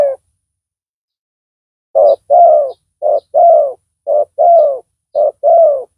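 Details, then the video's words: Spotted dove calling while a decoy bird lures a rival; after a pause, four paired coos, each a short low note then a longer rolling coo, with faint high chirps in the background. "Pikat tekukur tapau Bl suara besar"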